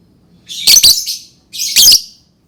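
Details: Lovebird uttering two shrill, raspy squawks about a second apart, each a quick double-pulsed burst, in a quiet setting.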